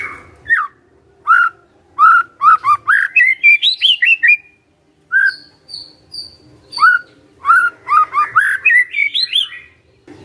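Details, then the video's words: A Magpie-robin gives a loud, varied song of rich whistles and quick chirps in bursts, with short gaps and a few higher, level whistled notes between phrases. "Murai Nyaut Gacor"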